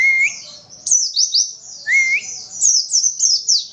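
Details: Oriental white-eye (pleci), untrained, in 'witwitwit' song: a rising whistle opens, then high descending chirps tumble in a quick series, with a second upslurred whistle mid-phrase and more chirps after.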